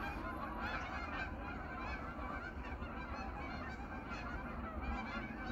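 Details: Geese back on their pond for the evening in autumn, part of a wintering flock of several hundred. Their steady, crowded honking chatter runs without pause above a deep low-frequency hum.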